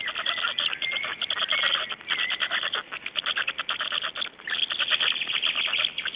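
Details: Dawn recording of black storks in Estonia, 26 May 2012, 05:15: an almost unbroken stream of quick rattling pulses, with faint thin whistles early on.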